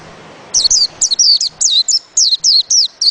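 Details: Bright, high-pitched twittering from a white-eye: about ten quick slurred notes sweeping downward, closely spaced, starting after a short quiet pause.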